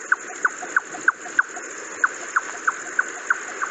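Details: Jungle Nightjar call, rendered as 'choco choco choco', offered for comparison with the near-identical Savanna Nightjar: a steady series of about a dozen short, hollow knocking notes, roughly three per second, over a constant faint high hiss.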